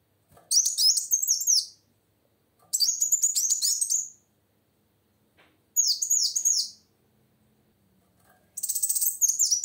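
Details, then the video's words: Lively female plain sunbird song, used to stir males into singing: four bursts of fast, high-pitched, tinkling downslurred notes, each lasting one to one and a half seconds, separated by clear silences. "Suara Kolibri Wulung Betina Gacor Untuk Memancing Bunyi Kowul Jantan Macet"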